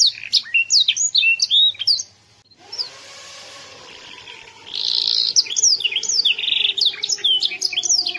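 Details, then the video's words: Young canary from Yogyakarta, Indonesia: bright whistled sweeps break off after two seconds, a hiss with low humming follows, then a buzzy trill leads back into fast, loud warbling. "CANARY MUDA SUARA MENGELEGAR"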